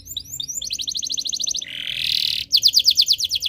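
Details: Canary in breeding condition, used to prompt other birds to sing: high rapid trilled phrases, a run of evenly repeated notes, then a dense buzzy rolling section and a louder bright trill of repeated notes.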